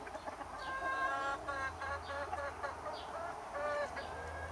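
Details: Chickens and roosters in summer: a run of drawn-out harmonic clucks and squawky notes from several hens, fairly loud and close, over a low steady hum.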